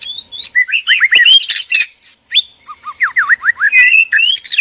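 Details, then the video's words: White-rumped shama pair, male and female, in a breeding cage, mating calls: rich whistled phrases with swooping downslurred notes and sharp chirps, repeated in quick bursts. "PANCINGAN BIRAHI KAWIN MURAI BATU JANTAN DAN MURAI BATU BETINA DIKANDANG PENANGKARAN"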